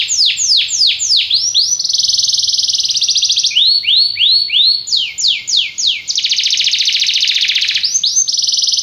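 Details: Belgian canary singing to prompt other canaries to sing: fast trills of sweeping notes alternate with long buzzy rolls and tours at high pitch, all steady and loud.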